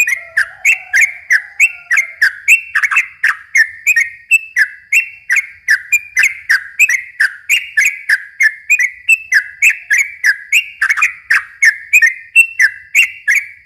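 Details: [6, 'Extended rapid song of a yellow-vented bulbul, played to lure and excite young birds: steady run of slurred whistled notes, roughly three a second, with a faint low tone in the first two seconds.']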